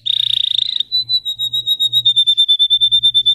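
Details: Singing Russian canary, a breed known for high-toned song variations: a rapid buzzing trill of high notes, then a slower run of even, pulsed whistles at one pitch, about three per second.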